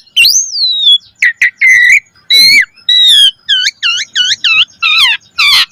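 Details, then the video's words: Jalak suren (Asian pied starling) singing a rich lure song for training caged birds: a long sliding whistle, then harsh notes and a run of rapid looping whistles repeated in quick series. "Suara Jalak Suren Gacor Full Isian Mewah Auto Bongkar Isian Pancingan Burung Jalak Agar Isian Bagus"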